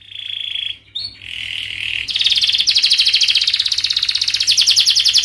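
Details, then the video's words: Canary song as a lure for young canaries learning to sing: steady whistled rolls at first, a short break, then a loud, very fast buzzy trill held to the end. "KENARI GACOR PANJANG speed Rapat, 99% SUKSES Bikin Kenari NYAUT/Pancingan kenari paud belajar bunyi"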